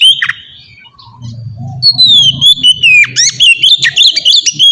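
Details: White-rumped shama ngeplong training song: a brief note, a quiet gap with low rumble, then a long sliding whistle leading into rapid loud chips and whistles.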